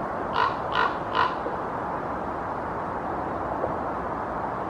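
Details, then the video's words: A common raven perched on a treetop in Helsinki, Finland, in October 2024 gives three harsh, throaty croaks in quick succession, about a third of a second apart, over a steady background hiss. "Sounds of a Common Raven"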